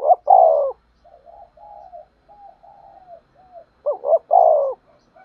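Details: Spotted dove lure bird cooing to attract wild doves for trapping: one loud falling coo, then a string of soft, short, level coos, then another loud three-part phrase with a rising middle note.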